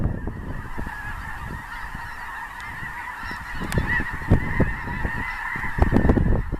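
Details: Massed calling of snow geese migrating through central Illinois, at Clinton Lake in a February 2016 blizzard: a continuous, overlapping clamour of nasal, yelping honks from a large flock, with gusts of low wind rumble underneath.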